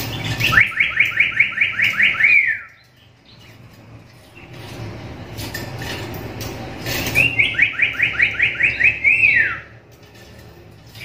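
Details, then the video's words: Black-capped lory giving a call rarely heard from other lories, suited as a master song for training: two bursts of fast, piercing, repeated notes, about a dozen in two seconds each, ending in a falling squeal, with faint background noise. "Suara panggilan burung nuri kepala hitam ini jarang dimiliki nuri lain"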